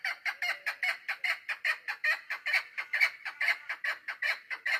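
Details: Continuous rattling series of rasping chuck notes from a female chukar partridge used for hunting, recorded 3 May 2025, each note short and harsh, repeated about twice a second without pause.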